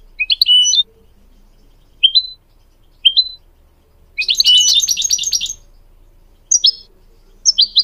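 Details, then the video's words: Song of goldfinch mules and canary played to train young birds: an opening jumbled twitter, spaced single upward-slurred chirps every second, a long rich buzzy warble, then short paired high notes. "Teaching goldfinch mules and canary to song"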